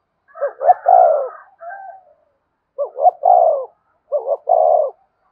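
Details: Cooing spotted dove, thúc style meant to stir up wild doves: three low phrases, short-short-long, the first trailing into an extra soft note, sounding from a quiet room.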